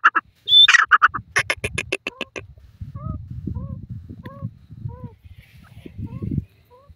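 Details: Grey francolin (desi teetar) in forest giving a burst of its call, a high whistle then a rapid string of harsh clipped notes, fading into low rumbling background with faint soft downslurred chirps.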